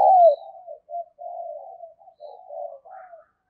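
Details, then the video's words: Cooing female spotted dove, a call meant to excite male doves: one loud opening note, then a run of soft, low, drawn-out coos broken by short gaps. "cu mái gáy kích trống hiệu quả, trống nghe rất phấn khích và nổi nhanh"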